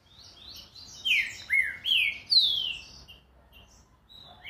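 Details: Short fast phrase from a green-winged saltator: three or four loud, clear downslurred whistles in quick succession, then quiet with faint background hiss.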